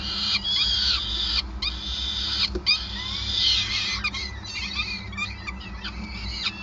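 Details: Peregrine falcon at its Groningen nest site during feeding on 5 May 2020, giving rapid, grating high calls with thin rising and falling squeals, broken by brief gaps, over a low droning hum.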